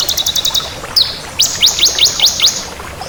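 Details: Bar-winged prinia of the crystal variety singing vigorously: bursts of rapid, very high thin notes, a sharp descending whistle, then a series of quick downward-swept chips, over a faint hiss.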